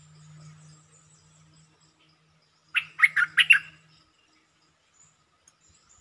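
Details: Red-whiskered bulbul giving a short, quick-opening song used as a lure call: one brief burst of four or five bubbly, warbled notes, with a low steady hum underneath beforehand.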